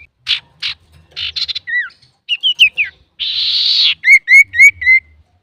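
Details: Singing male common iora, recorded as a lure for other birds: sharp chips and short trills, a long harsh buzzy rasp, then four clear upslurred whistles repeated quickly.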